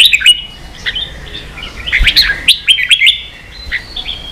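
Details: Red-whiskered bulbul in ché-style song for training young birds: quick sequence of sharp chirps and slurred whistled notes, denser in the middle, ending in a sustained thin whistle.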